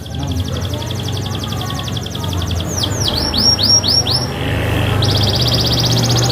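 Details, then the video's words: Canary in vigorous full song, used to prompt lazy canaries to sing: a high, fast trill, then loud swooping downslurred whistles, a lower buzzy note and another rapid trill, over a steady low hum. "SUARA BURUNG KENARI GACOR - COCOK BUAT PANCINGAN KENARI MALAS BUNYI"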